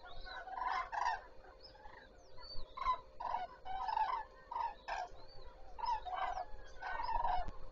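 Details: Common cranes at Zastawie reservoir, 14 September 2023, starting the day: overlapping loud bugling, trumpeting calls from many birds, in bursts with short gaps, steady low hum underneath.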